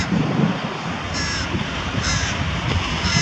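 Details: Carrion crow feeding young with prey near Diemerbos on 22 July 2020; three fairly faint, harsh calls about a second apart sit above a loud, constant low rumble.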